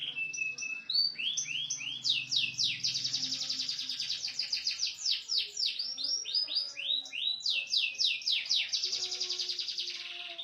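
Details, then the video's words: Small standard canary singing the cililin song variation: a long, continuous stream of high, rapid rolling trills and repeated swept notes, changing pattern every few seconds, with a faint low hum at the start. "kenari std kecil variasi suara cililin"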